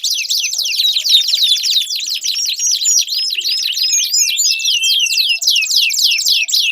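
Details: Singing canary, used as a lure to prompt a silent canary to sing: quick chattering trills giving way to looser, rising and falling whistled sweeps, delivered without pause.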